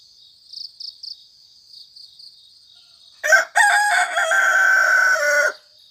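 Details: Early morning in cool countryside, a rooster crows loudly, a harsh drawn-out call after a sharp opening burst, preceded by faint high pulsing chirps.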